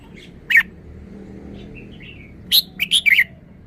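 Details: Red-whiskered bulbul showing off a sweet three-syllable song style: one bright chirp, a few faint soft whistles, then a quick burst of four or five clear, warbling high notes near the end, over a low steady background hum.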